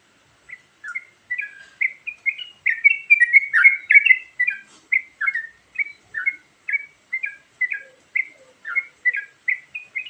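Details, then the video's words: Varied song of a Sooty-headed bulbul used for luring. Bright chortled notes build into a busy burst, then settle into evenly spaced, bouncy two-note phrases, about two per second. "Suara Burung Trucukan Isian Variasi"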